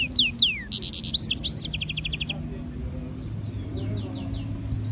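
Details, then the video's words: European goldfinch mule hybrid delivering a training stimulation song: sharp downslurred whistles and buzzy rattling trills for about two seconds, followed by faint far-off twitters and low background noise. "European goldfinch Singing Mule -Training - Jilguero Mulo - Carduelis carduelis - Stimulation song"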